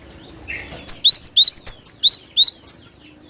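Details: Energetic cinereous tit song used as a lure: a lower introductory note, then about nine bright, high two-part whistled phrases delivered quickly and evenly.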